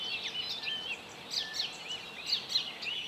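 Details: Icterine warbler (Hippolais icterina) singing on 27 May 2017 at Joachimów Mogiły reservoir, Poland: a fast, varied jumble of high chattering, whistled and squeaky notes, short phrases tumbling together over a soft background hiss.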